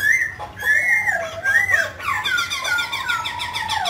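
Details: Mutant grey laughingthrush singing as it dances: clear slurred whistles, then a burst of rapid, harsh, rhythmic notes under a long, falling whistled line.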